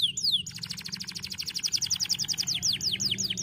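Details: Singing white canaries on dry stalks: two descending whistles, then a quick, rattling trill of bright repeated notes that slows slightly toward the end, with a low hum beneath.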